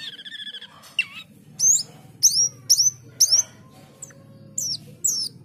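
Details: Male Asian glossy starling singing energetically: a short rattling trill, then repeated bright descending whistles roughly every half second, some with a ringing tail, over a steady low hum.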